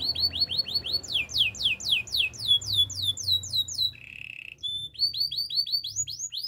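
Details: Gloster canary song for training other canaries: long chains of repeated downward-slurred whistles at varying pitch, interrupted by a short buzzy trill, then resumed rapid swept notes over low background hum.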